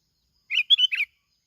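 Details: Bình Thuận plain-backed sparrow on a lure recording, giving one clean phrase of three fast chirps: a rough first note, a bright clear middle note and a buzzy last note, in silence.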